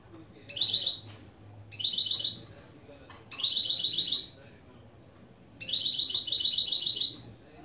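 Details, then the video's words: Hybrid mule of goldfinch and canary repeating short fast rattled trills, each about a second long, separated by pauses, over a faint low background hum. "Saka Melezi Ön Çıkışlar👌 #30 Mixto jilguero/ mulet"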